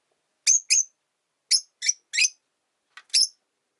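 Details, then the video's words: Rosy-faced lovebirds, three pet birds newly sharing a single cage beside a window, the resident white-faced one disliking the yellow-faced newcomer: shrill high chirps given in pairs and singles with short silent gaps between bursts. "Lovebird Chirping Sounds"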